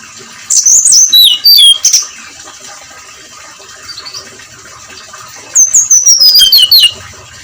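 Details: Brown-chested jungle flycatcher in 'ngeplong' song at first light: two bursts of loud, high whistled notes separated by a quiet stretch with faint chirps over steady background hiss.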